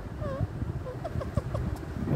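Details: A pet talking rose-ringed (ringneck) parakeet, spoken to by its owner, sings a swooping whistled phrase, then a quick run of four or five short, clear notes over a low background rumble.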